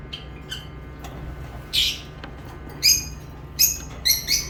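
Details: Lovebirds give high, shrill chirps, first soft and spaced, then louder squeaky notes repeated about once a second toward the end, over a low background hum.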